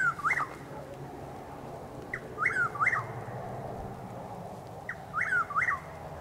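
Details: Dawn calls of a Chuck-will's-widow near Lake Placid, Florida, at about 6:20 am on 12 April 2023. Three clear whistled phrases, each a soft lead-in and two swooping slurred notes, repeated roughly every two and a half seconds.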